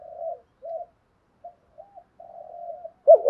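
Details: Spotted dove used as a lure bird, cooing to stir other doves. Mostly quiet, drawn-out low murmuring coos with short pauses, ending in one sudden louder wavering coo.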